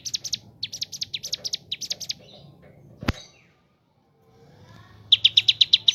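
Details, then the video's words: Ciblek gunung song: bursts of sharp high chirps, then a sudden click and a quiet gap before a fresh rapid run of notes. "ciblek gunung / cigun gacor ngebren isian kapas tembak bird sing"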